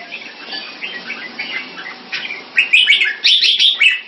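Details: Caged red-whiskered bulbul raised for competition in Singapore, displaying: soft scattered chirps at first, then a loud closing burst of rapid, bright, clipped notes repeated several times.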